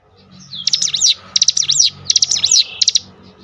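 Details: Cinereous tit singing a lure song meant to provoke other cinereous tits: three quick runs of harsh, clipped rising-and-falling notes in close succession over a steady low hum.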